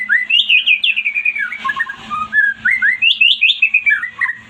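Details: White-rumped shama singing to provoke a silent bird into answering: bright fluid whistles in rapid repeated arcs, running almost without pause, over a faint low hum.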